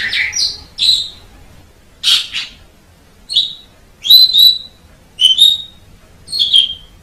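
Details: Jalak suren, the Asian pied starling, on a masteran recording: separate bright whistled and squeaky phrases come roughly once a second, some slurred, others sharp and clipped, with quiet pauses between them.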